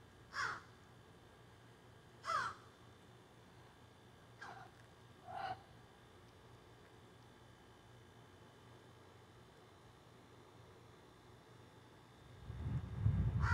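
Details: Crows in trees behind a garden, recorded on a cell phone: four scattered caws, the last two shorter and lower, then a low rumbling noise rising at the end.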